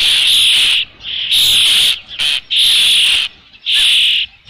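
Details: At a Dunrovin Ranch nest with fish, 3 June 2018 near 5 PM, an Osprey gives loud, shrill whistled calls, each held under a second, repeated about once a second with brief gaps.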